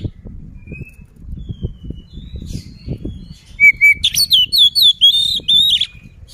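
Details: Oriental magpie-robin singing to provoke an opponent. After a quiet stretch with faint thin whistles over low background noise, a loud phrase of repeated clear whistles and quick looping, slurred notes bursts out for about two seconds.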